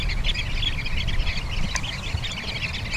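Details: Sanderlings on Bañugues beach, Asturias, on the coast outside the breeding season, give a steady chatter of short, high twittering chips, many birds overlapping, over a heavy low rumble of wind or surf.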